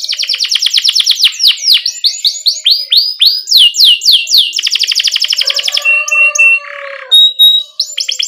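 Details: Canary song aimed at training young canaries still learning: fast trill, then a series of loud swooping whistled notes, another quick roll, and a few level whistles with a brief buzz.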